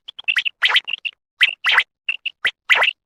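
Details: Female common quail calling, used in quail hunting in Khyber Pakhtunkhwa: short clipped chirps mixed with raspy, gargling bursts in an uneven rhythm.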